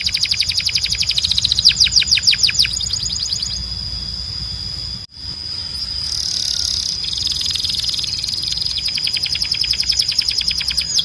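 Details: Canary tutor song for young male birds: rapid descending trills in the first seconds and again at the end, separated by a steady high hissing tone and a brief silent gap.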